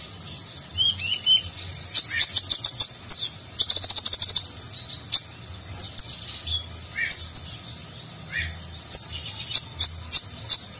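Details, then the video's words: Konin sunbird singing in Nagen style with luxurious filler, intended for training competition birds: long, busy stretch of very high chirps, trills and slurred whistles, with a loud rapid rattle-like burst in the middle and spaced sharp notes afterwards. "Konin Gacor Isian Mewah Gaya Nagen, Cocok Untuk Masteran Burung Lomba"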